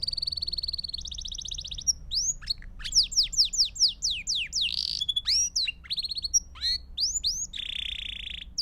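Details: Belgian canary in full song for training young canaries: opening steady trills give way to loud sharp descending chips, quick rolls and whistled notes, closing on a sustained buzzy trill.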